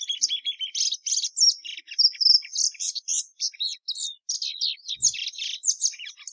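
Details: Continuous fast warbling of a plumbeous seedeater, Sporophila plumbea: high, sharp chirps, slurred whistles and buzzy trills tumbling together in a lively, unbroken stream.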